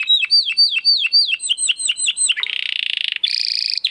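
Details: Domestic canary song for training competition birds: repeated sweeping whistled notes about four per second, then a dense buzzy roll and a bright high trill.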